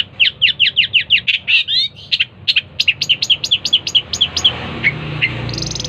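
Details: Long-tailed shrike delivering a fast series of about twenty sharp, downslurred high notes at a steady quick rhythm, briefly broken by a scratchy phrase, ending in softer scattered notes with a hissy rising noise.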